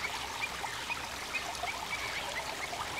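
Torrent duck giving short, thin, high whistles, several per second, over the steady rush of fast-flowing water.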